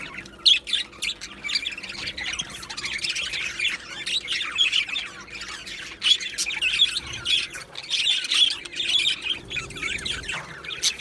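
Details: Colony of Australian budgerigars in an aviary, recorded 15 July 2025: busy overlapping chirps, squawks and warbling chatter, with scattered louder bursts and brief quieter gaps throughout.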